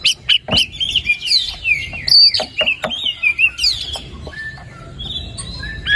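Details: White-rumped shama in full song, played to coax a silent bird into singing: high, clear whistled slurs and trills, quick downward sweeps and sharp ticks, phrases tumbling after one another.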